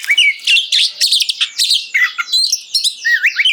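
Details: Oriental magpie-robin singing hard to spur other magpie-robins to respond, a short dense burst of harsh chattering notes followed by sweet wavering whistles, phrases coming several times a second.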